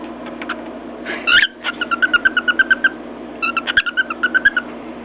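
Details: Cockatiel on top of its cage, tapping its beak on a mirror while whistling: a sharp squawk, then a fast run of short, evenly spaced chirped notes, paused and repeated, over steady indoor hum.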